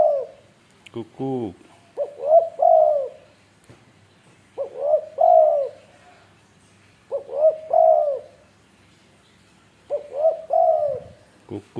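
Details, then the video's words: Tame spotted dove in Indonesia giving its cooing call: soft, hoarse two-part coos repeated about every two and a half seconds, each a short lead note followed by a longer drawn-out coo, four phrases heard. "si Kukuk"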